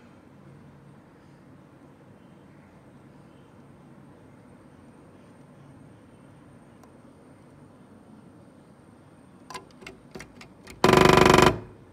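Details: A steady low mechanical hum, then a few sharp scattered taps and a brief loud burst of noise, with no clear animal voice.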